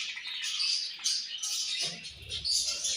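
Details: Budgerigar colony chirping during morning feeding, a continuous high chattering wash with thin whistled notes standing out, slight low rumble in the second half.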